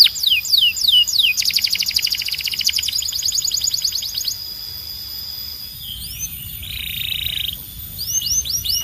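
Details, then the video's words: Belgian canary song: quick descending slurs, then a long rapid rattling trill, a pause, a smooth buzzy roll, and more high downslurred notes at the end. "Don’t Play This Near Your Belgian Canary… It Might Sing Non-Stop"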